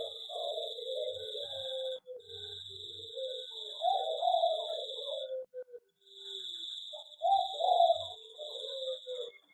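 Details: Zebra dove singing in an aviary: bursts of rapid, bubbly cooing notes in the low-middle range, each phrase trilling then trailing off, repeated after short pauses, over a steady high-pitched electronic whine.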